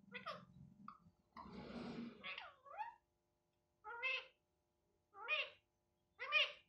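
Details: Talking Indian ringneck parakeet kept as a pet, said to repeat Hindi phrases such as 'I love you' and 'Radhe Radhe'. Short harmonic voice-like bursts, some sliding up and down, come in separate syllables about once a second indoors.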